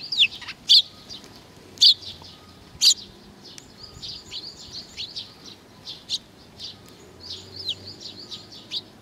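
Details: Sparrows arriving for food on 15 May 2019: three loud, clipped chirps at the start, roughly a second apart, then a busy stream of softer, overlapping twitters.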